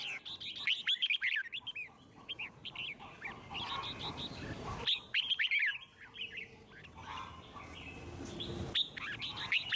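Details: Red-whiskered bulbul giving a 'forest voice' song meant to get other birds singing; clusters of sharp, warbled whistles in quick runs, broken by a few quieter gaps, with soft background noise.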